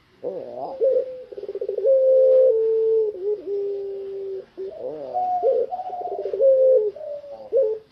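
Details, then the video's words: Tame spotted dove, puter pelung type, singing outside its cage: long drawn coos with a short stuttering rattle and sustained hooting notes, the phrase repeated after a brief pause. "BURUNG PUTER PELUNG JINAK TOTAL,GACOR DI LUAR SANGKAR"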